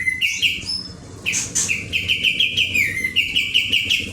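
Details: ['Lively kapas tembak song in rolling style, strings of quick, clear chirped notes at a steady pitch, broken by a short burst of higher whistled notes near the middle, then resuming in rapid repetition.']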